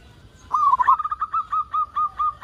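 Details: Local zebra dove in full song, used to get other doves calling: an opening stuttered trill of coos, then an evenly paced string of clear, slightly rising coos.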